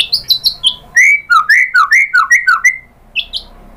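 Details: White-rumped shama song used to provoke another bird into singing: quick high chirps, then a steady series of about ten loud, looping whistled notes alternating up and down, ending with two high chirps.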